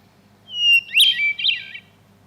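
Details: Hermit thrush (Catharus guttatus), song.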